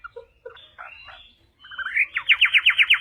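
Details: Chinese hwamei song for tutoring other birds: soft low scattered notes and a pause, then a rising whistle leading into a loud, rapid run of repeated sharp notes.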